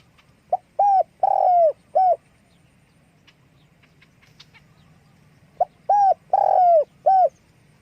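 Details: Spotted dove calling with wing flapping: two low, mellow cooing phrases, each a soft short lead-in followed by a quick coo, a long burry drawn-out coo and a final short coo, separated by a quiet pause of several seconds.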